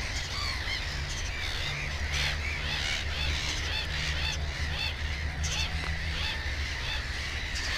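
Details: Black-headed gull at its nest with two chicks, amid a busy colony: harsh, harmonic calls repeated rapidly and overlapping from many gulls, over a steady low rumble of wind or ground noise.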